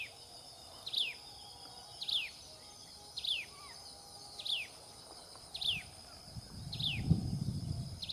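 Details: Common tailorbird feeding its chicks; a series of six bright chirps, each falling steeply in pitch, repeats about every 1.2 seconds over a steady insect drone, with a low rumbling disturbance near the end.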